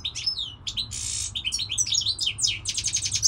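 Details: Goldfinch song: a rapid, jumbled stream of bright tinkling notes, short buzzy bursts and quick chirping trills that keeps going without pause, ending in a run of evenly repeated twitters.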